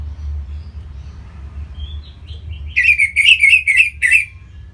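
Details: Orange-headed thrush kept in Singaraja, North Bali, singing as a lure to make other birds sing: a few soft, faint whistles give way to a rapid series of five loud, bright warbled notes.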